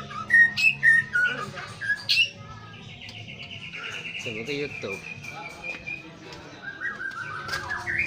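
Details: White-rumped shama in morning pastol song, played to rouse a juvenile shama: loud clear whistles open, followed by a long quieter trill and later slurred rising notes, over a soft background hum.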